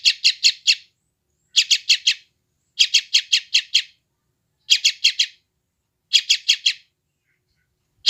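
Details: Sooty-headed bulbul chick calling in West Java, Indonesia, Android phone recording used as training sound for wild-caught birds; regular clusters of four buzzy, scratchy chirps at roughly one-and-a-half-second intervals.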